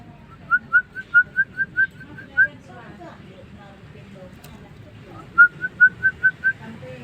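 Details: Jalak starling singing for tutoring: two bursts of quick, evenly pitched whistled notes, about eight in the first and six in the second, separated by a quiet gap with low background noise.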